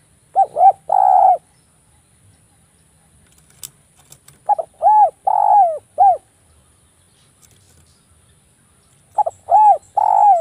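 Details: Javan spotted dove cooing, a dense, sharp voice used as a lure to draw other doves; three bouts of hollow coos, each a quick pair of rising-falling notes then a longer note, separated by pauses, with faint clicks.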